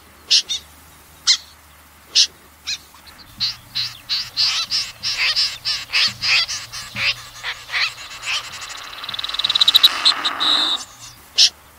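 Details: Common snipe, rasping broadband calls given singly and then in a fast irregular series, with a denser buzzy burst of notes near the end over a low steady hum.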